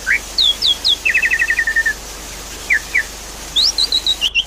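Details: Javan pied starling lure recording with a background of running water: sharp whistled notes, then a fast chattering run of short notes, paired chirps, and another rapid descending series of clipped notes.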